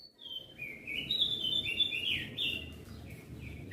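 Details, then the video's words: Song of a crested white-eye from Flores, meant to rile other birds: a smeared, echoing stream of warbled whistles with overlapping notes, heard against steady rumbling background noise. "Opior Jambul flores Gacor Bikin Emosi Burung Yang Dengar Pasti Langsung Ribut"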